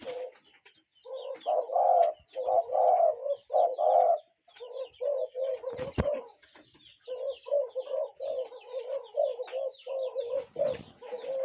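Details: Natural outdoor recording of a cuckoo: rhythmic runs of throaty mid-pitched notes in groups of two to four, repeating about once a second, with faint high chirping behind and a brief thump midway.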